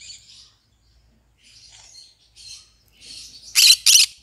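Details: Pet green-cheeked conure giving quiet scratchy warbles that build into two loud rasping squawks in quick succession at the end.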